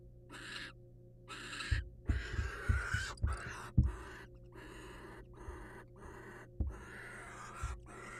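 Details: Wild barn owl pair in a nest box, male delivering a mouse to the female: noisy hissing bursts, some long and some clipped, mixed with frequent thumps and scraping, over a steady hum.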